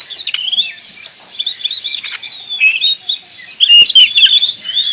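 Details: Oriental magpie-robin in Indonesia, described as singing busily: a continuous, rich warbling of high whistled phrases, quick twitters and downslurred notes with brief pauses, louder again toward the end.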